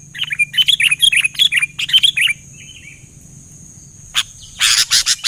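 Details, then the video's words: Sooty-headed bulbul in lively gacor song, with other bulbuls responding: a rapid run of short fluting, bubbly whistled notes for two seconds, then quiet, then bursts of harsh scratchy chatter near the end over a thin steady whine. "Suara BURUNG KUTILANG GACOR !! langsung di Respon Cepat Semua Burung Kutilang"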